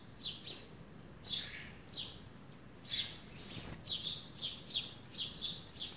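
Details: Sparrow chirping during its bath at a terracotta bird bathtub; high down-slurred chirps, sparse at first, then a quick run of about eight chirps in the last two seconds, over faint background noise.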